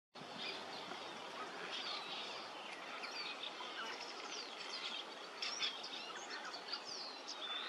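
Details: Cliff swallows at Longnose Bridge, Oakland Camp Road, Quincy, California, give many overlapping squeaky chirps and short rising and falling notes, over a steady rushing sound, probably running water.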